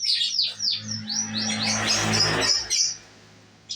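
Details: F2 canary song opening with a series of quick descending whistled sweeps, then a blurred stretch of louder noisy sound, ending in a short high trill before quiet.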